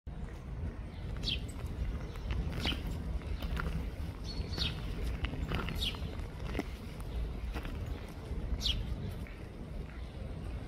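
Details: Eurasian nuthatch in Tivoli landscape park, Ljubljana, Slovenia, on 21 June 2024, giving short, sharp, high notes every second or two over a steady low rumble and footsteps.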